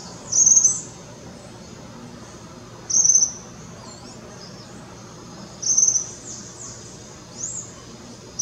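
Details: Juvenile Tropical Kingbird vocalizing at Parque da Chacrinha, Rio de Janeiro, February 2019; four brief, high-pitched, slightly buzzy chirps spaced roughly two and a half seconds apart against a faint steady hiss.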